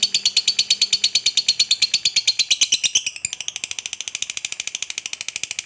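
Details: Lovebird fighter's long ngekek trill, used as a lure to get other lovebirds singing: a rapid, even series of harsh, buzzy pulses, about two per second, that quietens slightly partway through.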